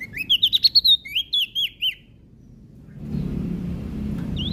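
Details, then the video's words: Prinia from Lombok singing vigorously: a fast burst of high, sharp chirps and downslurred notes running for about two seconds, then a lull, a rising low rumble of background noise and one last thin note. "Prenjak daun Lombok Gacor"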